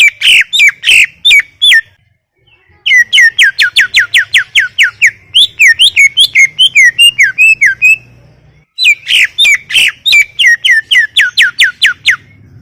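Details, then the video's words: Greater green leafbird in sustained song, long runs of fast, evenly repeated sharp whistled notes interspersed with a twisting, varied warbling passage, then another rapid run after a short gap. "Full Gacor 40 menit CUCAK IJO"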